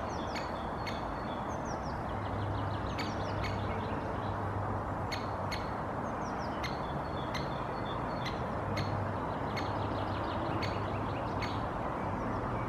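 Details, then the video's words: Male great spotted woodpecker perched in a bush in Helsinki, Finland, in May 2024, calling incessantly with sharp, short 'kik' notes, singly or in quick pairs, apparently to a female a metre away; low traffic rumble and small birds twittering behind. "Great Spotted Woodpecker male vocalizing"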